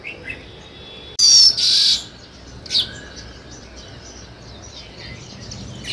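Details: Sparrow calling: two loud, harsh, buzzy chirp bursts close together, then a single shorter chirp, with faint scattered chirps continuing in the background.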